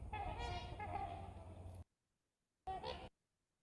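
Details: Trumpeter Swans give nasal, horn-like honks, a long overlapping run followed by one brief call, over a low background rumble. These are healthy swans heard near a lone lead-poisoned cygnet that is gasping and head-shaking.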